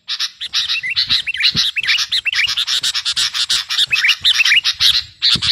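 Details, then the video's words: Active singing of a sooty-headed bulbul (kutilang garuda), a recording used for teaching songs to other birds or for lure trapping. A dense, continuous stream of chattering notes carries many quick, rising slurred whistles. "Burung KUTILANG GARUDA Gacor..!! cocok buat pikat masteran"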